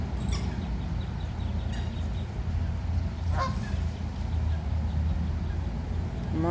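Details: Egyptian geese (Alopochen aegyptiaca) at a park pond, among 100+ geese and a family with eight goslings heading into the water, give a few short, harsh honks spaced a second or two apart over a grass-cutting machine's low rumble and a person talking.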